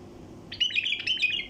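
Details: Wild bulbul flight call, used to draw in passing bulbul flocks: a sudden burst of quick, chattering, buzzy notes that runs for about a second at a steady high pitch, over faint low background hum.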